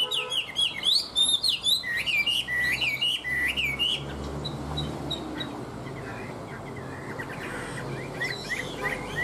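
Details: Captive Chinese hwamei, fairly tame, singing indoors on an overcast, rainy afternoon: rapid, loud whistled phrases with looping slurred notes for about four seconds, then softer fragments over a low background hum.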